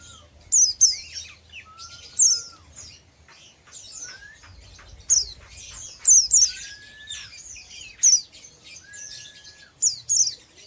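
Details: Oriental white-eye, young untrained ngeriwik-style bird, chattering steadily with high thin down-slurred chirps in quick succession, interspersed with lower brief drawn-out whistles.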